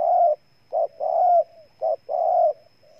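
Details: A Ninh Thuận, Vietnam spotted dove calls in loud mellow coos. Long level notes alternate with short emphatic ones, and a faint soft coo trails off at the end. The setting is quiet.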